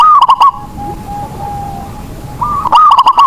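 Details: Indonesian zebra dove of local stock, a lure meant to prompt sluggish birds to sing: a loud, quick phrase of clipped fluty notes, a thin sustained tone, then another loud stuttering phrase two seconds later.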